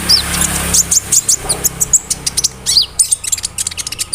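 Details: Konin bird mimicking crickets and other birds as tutoring material for songbirds; fast, irregular volley of thin high chirps and squeaks, steadily repeated over a faint hum.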